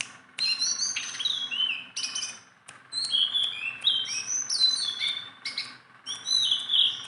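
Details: Sunda bulbul kept tame and handled by hand sings energetically, starting with a short phrase, pausing, then pouring out a long run of mixed whistles, downslurs and crisp chips.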